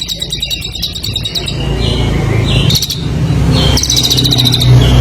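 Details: Competition songbird in vigorous master song: bursts of fast, high metallic trills, the first lasting about a second and a half, later bursts shorter, over a steady low hum and background rumble.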